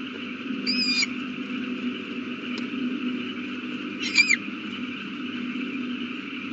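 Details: Owl at the nest with a newly hatched chick, April 18, 2019, 8:32 pm: two short hoarse squeals about three seconds apart, the second slightly wavering, over a low mechanical hum.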